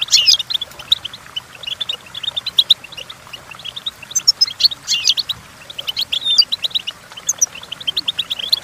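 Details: Goldfinch song for tutoring young singers: continuous rapid twittering of short high notes with bursts of bright, tinkling flourishes and occasional clear whistles, sustained for several seconds.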